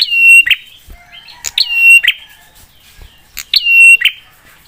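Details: Prinia lure song said to make other prinias sing back quickly: three rapid phrases roughly every one and a half seconds, each a sharp click, a long flat high whistle and a gritty buzz.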